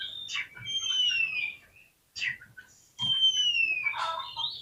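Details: Oriental magpie-robin song used as a lure to provoke a lazy bird into opening its tail and fighting: long, clear whistles sliding down from high to lower pitch, mixed with short chattering notes, with a brief pause between phrases.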